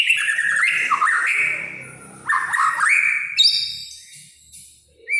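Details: A white-rumped shama sings kretekan, a style said to make other shamas emotional: rich sliding whistles and quick warbled turns in loud phrases, ending in high fast notes and a soft fade.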